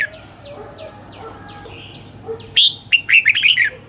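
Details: Red-whiskered bulbul training song at dawn, âm kép già rừng double-note style: soft, repeated down-slurred background notes first, then a loud, fast phrase of five or six bright, clipped whistles.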